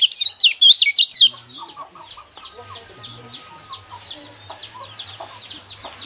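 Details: Yellow white-eye (pleci kecial kuning) song, used as a lure to provoke caged birds into singing: a loud run of high, twisting whistled notes in the first second, then fainter rapid chirps about twice per second.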